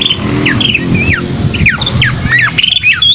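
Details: Scaly-crowned babbler singing scattered clear whistles, each sliding sharply downward, spaced a fraction of a second apart, over a low rumbling background hum.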